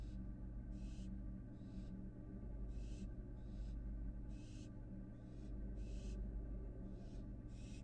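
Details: Hissing, rasping bursts from an American barn owl fledgling that has returned to its nest box in Florida, filmed by a live camera; eight or so short breathy calls at uneven intervals over a constant low hum.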